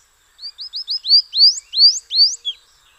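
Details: Morelet's seedeater song: four short high whistled notes in quick succession, then longer upward-sweeping slurs that climb higher, ending on one short lower note, against a quiet background.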